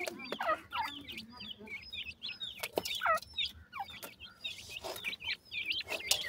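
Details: Black francolin chicks chirp in clear, high, downslurred notes, a few dropping lower, in loose irregular runs, with sharp tapping clicks between calls.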